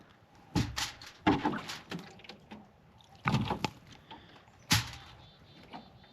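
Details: Irregular heavy knocks and thuds, like wood or a door being handled, break a quiet indoor background, with no animal sounds.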